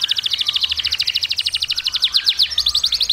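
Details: Steady, rapid pulsing trill from a singing canary, bright high notes repeated evenly many times per second, easing slightly in pace toward the end.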